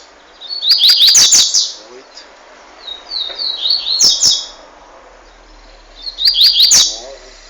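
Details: Young double-collared seedeater, one year and three months old, from Montanha in Espírito Santo, Brazil, delivering fast, forceful song: three high rapid phrases of buzzy notes about every two to three seconds, broken by sharp clicking sounds.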